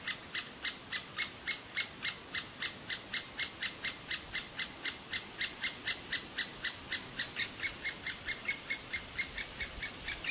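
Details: A young great spotted woodpecker in its nest cavity in an old aspen begging loudly and ceaselessly for food: steady series of sharp, high, buzzy chirps, about four per second, clear and quiet background.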